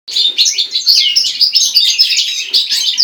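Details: Goldfinch and common linnet hybrid singing: a dense, fast twittering stream of high chirps, trills and short whistled notes, almost unbroken for three seconds, with no other sounds.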